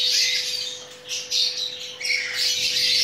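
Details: Mating chattering lory with rough, buzzy squawks in several bursts. Some notes slide downward, and all sit over a faint constant hum.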